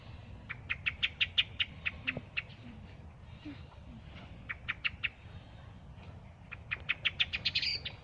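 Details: Thrush giving bursts of dry, clicking chack notes in quick rattling series of five to eight, separated by short pauses, with a low background rumble.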